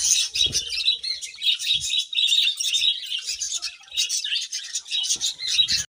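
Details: Budgerigars chirping in the morning: a continuous, dense flock chatter of high, scratchy warbles and squeaks, with a few faint low knocks beneath.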